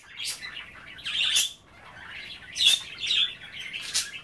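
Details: Budgerigars nibbling kale at bath time produce a scratchy warbling chatter in four louder bursts, with bright squeaky whistles between them.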